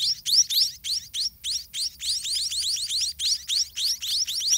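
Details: White-rumped munia chicks in a garden nest, being fed by their parents, give rapid, high, rising begging chirps, about three or four a second, in an insistent chorus.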